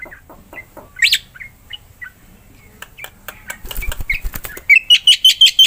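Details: A black-winged myna sings vigorously, as a prompt for mute mynas: scattered soft chirps and clicks, a muffled fluttering burst, then a run of six loud, evenly spaced whistled notes at the end.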